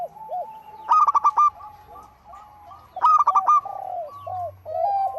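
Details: Actively singing local zebra dove: a pair of quick ringing note clusters about two seconds apart, surrounded by mellow, slightly falling coos and a faint low hum beneath.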